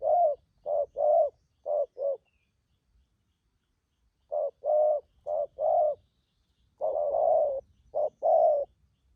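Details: Spotted dove, a freshly caught wild bird for trapping, in 'thúc gù' cooing: bursts of deep, rounded coos in quick pairs and threes, separated by pauses of about two seconds.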